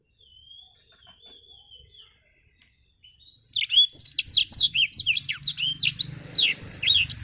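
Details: Black-throated canary, the blacktrut jabrig, singing actively: a soft, thin whistle drifts for a few seconds, then a loud burst of quick, high, looping warbled notes takes over, with low background hum.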